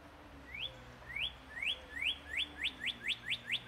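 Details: Birds singing at sunrise: a series of rising whistled notes, slow at first then speeding up into a quick regular run, about two per second, over quiet background.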